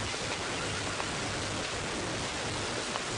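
Heavy, even rain hisses across the whole range, with a faint low rumble underneath and no animal calls.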